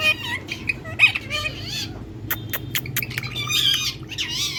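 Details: Tiger Indian parrot in sunlight, chattering with rich, wavering harmonic squawks and twisting notes, broken by a burst of sharp clicks near the middle, against a steady low background hum.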